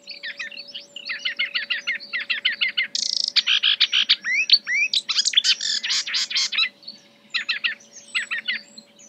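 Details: Marsh warbler (Acrocephalus palustris) imitating other birds in its song, a rapid jumble of dry clicking trills, buzzy bursts and sharp chirps, delivered almost without pause; a faint steady hum runs underneath.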